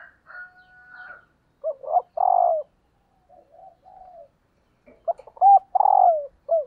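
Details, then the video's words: Female spotted dove kept as a lure bird, cooing to provoke males. Loud phrases of clipped notes and long, hoarse, falling coos alternate with softer, distant-sounding coos, including a flat whistled tone at the start. "cu mái gáy kích trống hiệu quả/ Chim cu mồi"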